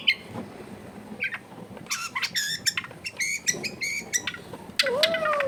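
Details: Long-tailed shrike song played to stimulate a lazy shrike to sing: rich, harmonic, scratchy chirps in short clusters, closing with a lower, drawn-out whistle that curves upward and then falls.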